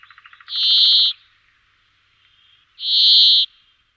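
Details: Brambling: a brief series of faint rapid ticks, followed by a pair of long, even, wheezy buzzing notes with a gap of about two seconds between them.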